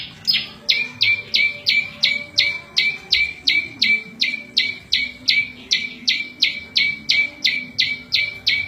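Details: Prinia, local name prenjak lumut, singing a variation used for training cage birds and luring wild birds: fast run of clipped notes dropping onto a steady lower tone, nearly three each second, quiet background.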